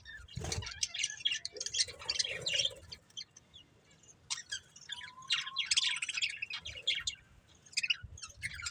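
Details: Budgerigar breeding pair chirping in quick, high, clicking warble phrases with brief pauses, a short whistled note midway and a few low thumps.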